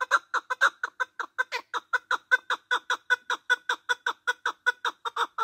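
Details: Male partridge voice used in hunting; continuous quick, gritty clucking at about four to five notes per second, evenly paced across the whole stretch.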